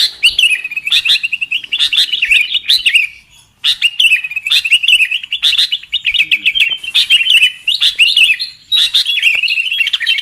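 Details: Sooty-headed bulbul lure recording for bird trapping: phrases of chirpy, bubbling chatter lasting two to three seconds, separated by short silences, repeated about four times.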